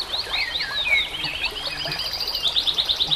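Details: White-rumped shama song used to train captive birds: swooping whistled notes, then a steady series of rapid high clicking trill notes toward the end, over soft hiss.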